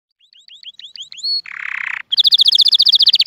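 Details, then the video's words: Canary song, described as flawless and meant for teaching chicks and stirring males and females to mate. Rising whistled slurs repeat quickly, then a short harsh buzzy burst, then a fast, bright, pulsed high trill. "تغريد كناري خالي من الاخطاء لتعليم الفراخ وتهيج الذكور والاناث على التزاوج"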